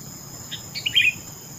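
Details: Sooty-headed bulbul giving a brief phrase of a few separate chirps rising into a short warbled flourish, with a quiet hiss behind.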